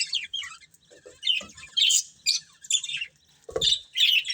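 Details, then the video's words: Budgerigar breeding pair giving short squawky chirps and warbled phrases in separate bursts about half a second apart, with a low thump partway through. "Cute Budgies Chirping Sounds"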